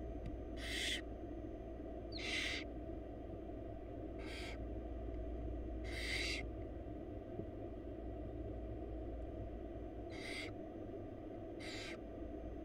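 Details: Wild barn owl chicks in a Florida nest box, being fed by their mother. They give harsh, broadband hissing screeches, each about half a second long, repeated roughly every one to two seconds over a steady low background hum.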